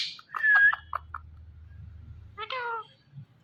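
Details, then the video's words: Indian ringneck parrot giving a clipped, nasal, speech-like utterance early on, a low hum during the pause, then a second harmonic phrase falling slightly in pitch. "Ringneck Parrot Sounds Mithu Mithu"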